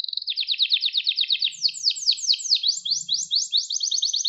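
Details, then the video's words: Canary singing, offered for training young canaries: a rapid rattling trill shifts into higher, sweeping repeated notes, each phrase rolling quickly into the next with a faint low hum underneath. "Kuşunuzun Eğitimi İçin Orjinal Kanarya Sesi 2021 Kanarya Kızıştırma Kanarya Ötüşü"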